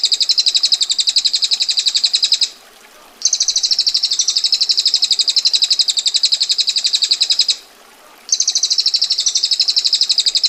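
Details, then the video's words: High, sharp ngetir trill of a female bar-winged prinia: long, tight rolls of rapid rattling notes, each lasting several seconds, broken by short silent gaps before resuming at the same pace. "Prenjak Betina Gacor Ngetir Rapat Tajam Kasar Roll Panjang"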